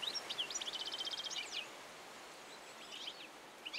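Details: European goldfinch song: a quick run of clipped, even twittering notes rolled into a dry trill lasting over a second, a short pause, then further softer twittered phrases.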